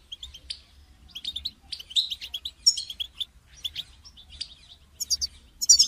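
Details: European goldfinch sound for prompting a caged goldfinch to sing: sparse chirps building into clusters of tinkling twitters and buzzes, ending in loud bright trills.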